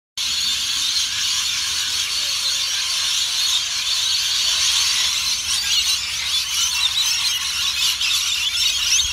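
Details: Rainbow lorikeets in a flock at Currumbin Wildlife Sanctuary, a constant shrill wall of overlapping screeches and chattering squeals with no pauses.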